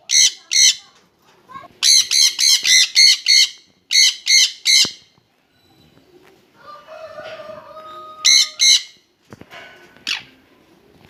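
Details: A pair of Jenday conures (Aratinga jandaya) together give harsh, piercing screeches in rapid bursts of two to five, with a faint household hum between.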